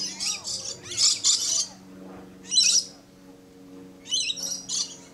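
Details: Blue-streaked lory at Lion Country Safari, Florida, giving harsh, shrill, screechy bursts in four clusters over five seconds, over a faint low mechanical hum.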